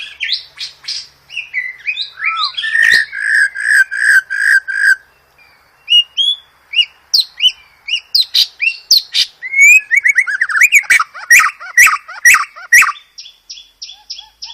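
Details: White-rumped shama master song full of varied phrases for training cage birds: a steady series of repeated chirping notes about every half second, then dense rapid high chips and whistles, ending in short even repeated notes.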